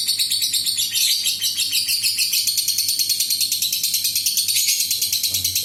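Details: Lovebird in a long ngekek trill, sung as a lure so other lovebirds answer. A fast, shrill, buzzy chatter of pulses repeats about three times a second and never breaks for the whole stretch.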